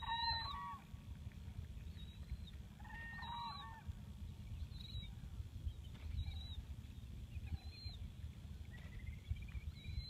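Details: Whooping cranes of the wild flock wintering at Aransas National Wildlife Refuge, Texas, giving rich harmonic bugling notes near the start and again after three seconds, a rising call near the end, with faint high whistles and constant low rumbling noise.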